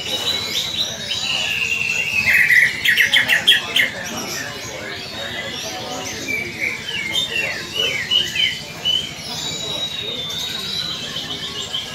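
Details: Greater green leafbird in fighting mood, its call used to stir other leafbirds to fight: rapid high chattering and twittering notes, repeated in uneven runs, with softer mixed chatter and background noise throughout.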